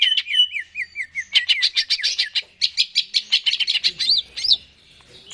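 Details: Greater green leafbird in lively song, used as bait playback to stir a caged bird into singing: opens with looping descending whistles, then rapid bright chirps and sweeping high notes.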